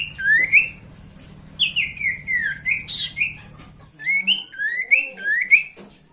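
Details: Sooty-headed bulbul song used as a lure to provoke rival birds into singing: a string of clear whistled slurred notes, each rising or falling, in quick phrases separated by short pauses, over a low steady hum that stops midway.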